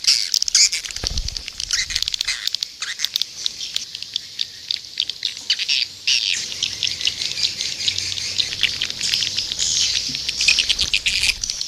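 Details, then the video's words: Edible-nest swiftlets in an Indonesian lure recording played outside a nest house to attract them: a dense, continuous mass of high, rapid chattering twitters with scattered sharp clicks throughout. "bird's nest sound indo âm yến ngoài nhà inddo"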